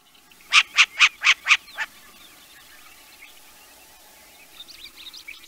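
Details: Short-eared owl (Asio flammeus) gives six harsh, raspy barks in quick succession, each fading slightly, followed by faint high chirps from other birds.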